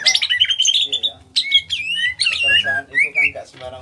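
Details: Greater green leafbird from Kalimantan, small in body, pours out varied ngentrok song: buzzy rising notes, sliding whistles and chattering phrases run almost without a break, with a low hum in the background.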